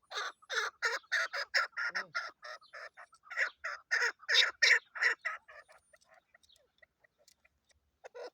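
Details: A chukar partridge, tagged as female and used for hunting, gives a fast run of harsh, clucking chuk notes, about three a second, then trails off into scattered softer clucks.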